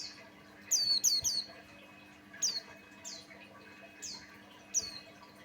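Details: Lure song from a Buxtoni white-eye, aimed at getting other white-eyes to sing: a quick burst of three shrill descending chirps, then single high down-slurred notes at roughly one-second intervals, with a quiet background hum.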